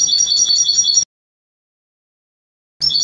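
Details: European goldfinch Trnan song from a 2020 CD: a dense, rapidly repeated high chattering motif lasting about a second, then silence, then the same ringing twitter resuming abruptly, as if cut together.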